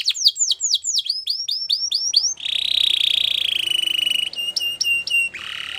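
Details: Belgian canary singing a sequence of looping whistled notes, then a long, even buzzing trill, short repeated clipped notes and a final rolling phrase.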